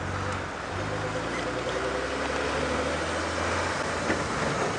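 A steady vehicle engine hum with low droning tones fills the whole stretch, and no animal calls stand out.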